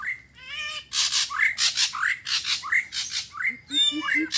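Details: A coucal call used to lure wild coucals: harsh, grating squawks with rising whistled edges, about two or three a second, ending in a few short, low hoots.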